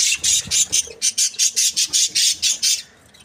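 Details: Happy budgerigars chirping: a rapid run of about a dozen high, harsh chirps, evenly spaced at roughly four per second, then stopping abruptly into near silence.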